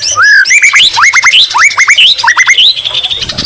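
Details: A brief burst of white-rumped shama song with green leafbird imitations: a clear whistle, then quick rising upslurred notes repeated in rapid groups over high twittering.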